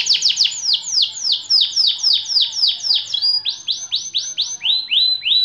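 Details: Long-duration song of a white AF canary, opening with a fast rattling series of descending sweeps, then slower, separate rising whistled phrases near the end.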